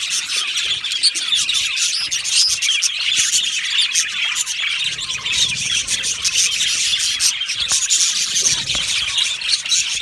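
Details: An aviary colony of budgies keeps up a loud, unbroken chorus of chirps, scratchy squawks and rapid twittering across the whole stretch.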